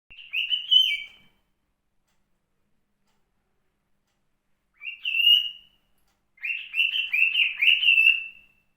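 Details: A white male cockatiel sings clear, warbling whistles in three short phrases separated by pauses.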